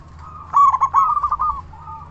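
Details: Local zebra dove with a loud voice, calling to lure other zebra doves to answer: one rolling phrase of quick, slightly trilled coos around mid pitch. It swells loud, then fades into softer trailing notes.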